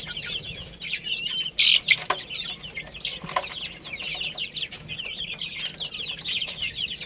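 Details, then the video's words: Chicks eating and playing: rapid, crowded high peeps sliding downward, about three per second, mixed with pecking clicks and a few louder taps. "Cute Little Chicks Chirping Sounds"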